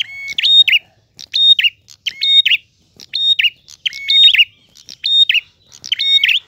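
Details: Prinia pouring out its clear gacor ngalun song, seven or so evenly spaced phrases of sharp chips, steady high and low whistles and a quavering falling ending, in a quiet setting.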